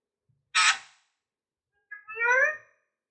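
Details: A pet Alexandrine parakeet (Indian ring Alexander) gives a harsh, raspy squawk, then after a pause a short, voice-like phrase with wavering tones that mimics human speech, calling "mummy" or "mithu miya".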